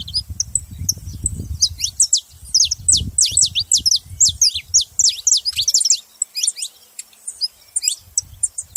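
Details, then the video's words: Saffron finch uttering lively high chirps and quick falling notes in loose groups, over a low rumbling background that fades midway and returns near the end. "canário da terra fazendo barulho"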